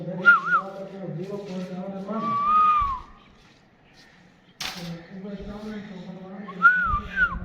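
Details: Rose-ringed parakeet, a talking pet parrot: clear wavering whistles, a long steady whistled note, then a pause and more rising-falling whistles, over a steady low humming, voice-like background.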